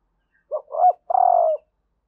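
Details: Spotted dove female calling to stimulate males: a single clean phrase, a short coo, a swelling second note and a long, even final coo, all within about a second.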